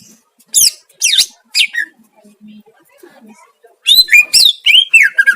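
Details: Greater green leafbird master song, used to make other leafbirds agitated: bursts of rapid, sliding high whistles and chattering notes, a quiet pause with a faint low hum, then a dense run of warbled, twisting phrases.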